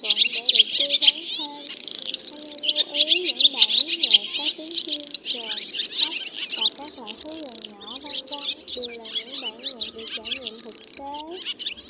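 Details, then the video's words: Flock of black swallows with white bellies calling each other in to roost, used as a trapping lure in 2024; continuous busy chatter of sharp high chirps in bursts, with softer rising and falling whistles underneath. "Tiếng Én Gọi Bầy Và Gọi Ngủ"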